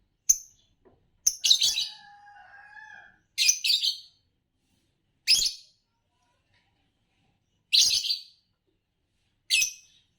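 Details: Series of six grating chirp bursts from a green Fischer's lovebird, known in Indonesia for long-duration competition songs, irregularly spaced, with a faint steady whistling tone briefly behind the second burst.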